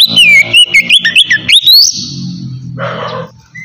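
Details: Relaxed ngeplong song of a white-rumped shama, meant for luring wild birds: a quick run of varied, bright whistled phrases with rising and falling slurs, then a long held high note, ending in low music-like rumbling.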